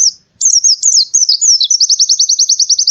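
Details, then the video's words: Morning song of an Oriental white-eye: loud high zigzag warbling that runs into an even rapid trill of about eight notes per second. "suara burung pleci di pagi hari"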